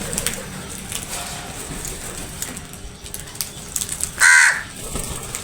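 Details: Crows attacking food give a single short, harsh caw about four seconds in, standing out against steady background noise.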